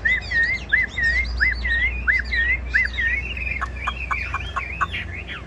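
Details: Caged Chinese hwamei singing clear whistled phrases: a run of looping, up-and-down notes repeated about every third of a second, then a quick string of sharp descending notes with higher overtones. A low hum sits underneath.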